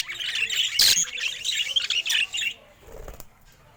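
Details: Pet budgerigar, described as happy, gives a fast scratchy warble of chirps for about two and a half seconds, then falls quiet apart from a soft rustle.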